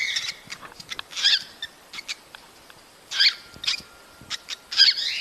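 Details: Cockatiel mating calls used to encourage breeding: scattered rasping squawks, each with a short falling note, mixed with soft clicks over a quiet background.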